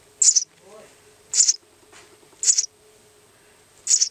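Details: Young mud swallow kept in a box, recorded 17 May 2007, calling as if trying to converse. It gives four short, very high chirps spaced about a second apart over a faint steady hum.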